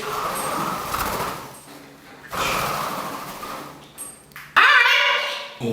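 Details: A 14-year-old female rescue green-winged macaw, excited and dancing indoors, gives two long, harsh, raspy bursts ending in a loud, nasal, speech-like "hi", rarely said; a person's voice is heard faintly.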